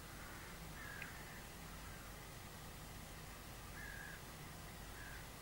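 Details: Crows, about 30 to 40, gathered around a goshawk that had caught a crow, calling to scare it away at about 6 am on 22 March; distant harsh caws come in short bursts near the start, around four seconds and near the end over steady low rumble.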